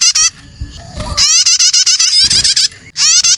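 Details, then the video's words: Juvenile prinia (prenjak) lure call meant to draw in other birds. Short harsh chirp bursts open and close the recording, with a longer run of quick rising notes in the middle and soft low rumbling between them. "SUARA PIKAT ANAKAN PRENAJAK STARTER"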